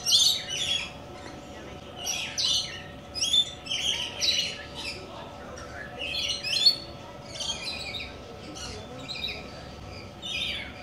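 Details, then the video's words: Rainbow lorikeets and coconut lorikeets chatter in clusters of piercing, squeaky screeches separated by brief gaps, over a faint steady background hum. "Coconut And Rainbow Lorikeets Want To Visit"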